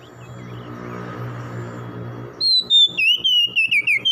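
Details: After a couple of seconds of steady low humming noise, an oriental magpie-robin bursts into a morning run of loud, descending whistled notes.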